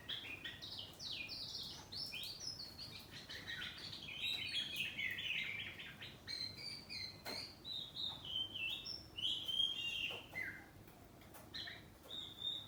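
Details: Oriental magpie-robin kept at home, kacer poci type, with a ngeplong saut-sautan song heard from a distance: a continuous stream of quick varied whistles, trills and chirps, fairly soft, with a few sharp clicks.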